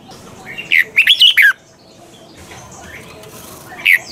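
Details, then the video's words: Red-whiskered bulbul singing double notes like a mature wild bird, for training caged birds: one rapid phrase of five slurred, chirpy notes, then the opening note of another. "chào mào hót âm kép già rừng hay tuyệt!"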